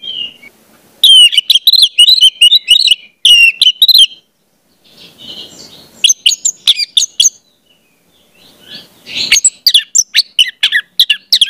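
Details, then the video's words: Orange-headed thrush singing, played so young birds learn the song: long, varied bursts of rapid, high whistled and chattering notes, broken by short pauses, with a softer scratchy passage in the middle. "pancingan anis merah"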